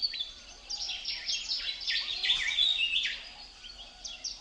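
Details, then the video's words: Many small chirps and downslurred whistles tumble over one another, building to a denser burst midway before thinning out; wind in the leaves, birds calling outdoors. "Wind blows leaves, leaves bird chirping sound"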